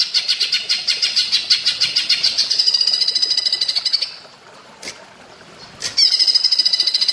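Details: Greater green leafbird (cucak ijo) singing in the platuk bawang style: loud, rapid rattling bursts of high, metallic notes about three per second, a pause with soft clicks, then another fast rattle.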